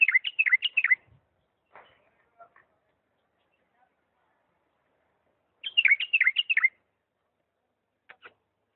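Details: Diyala bulbul song, lisanat style: a phrase of rapid falling whistles, then scattered quiet chips, then a second matching burst of bright descending notes, ending with two faint ticks.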